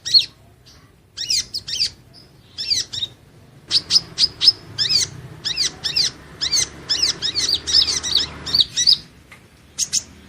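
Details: Kolibri Ninja, Van Hasselt's sunbird (Leptocoma sperata), in a training recording for steady chattering. A dense, shrill twitter of rapid high chirps starts after a short pause and grows more continuous, with faint background noise.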